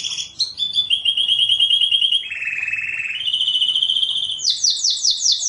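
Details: Canary master song for training junior canaries, with long sustained buzzy trills shifting between pitches, a lower rolling section, then a fast series of rising high notes at the end.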